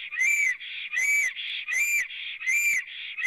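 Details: Singing black stork on its nest in Latvia, early afternoon of 9 April 2017, female thought present, nest camera recording: four hoarse, rising-then-falling whistled notes in steady rhythm, joined by a continuous hissing undertone.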